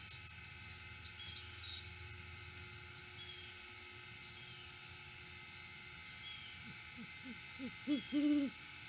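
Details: Lone male great horned owl at its nest tree at sunrise on August 12, 2022, off-season, recorded by live cam: after several seconds of steady hiss, a quickening stutter of short low hoots builds to two fuller hoots at the end.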